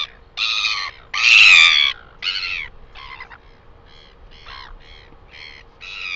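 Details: Northern royal albatross calling in New Zealand on 12 August 2020: a few strong nasal brays, the loudest near the start, then a run of shorter, softer clipped notes trailing off, over a low steady hum.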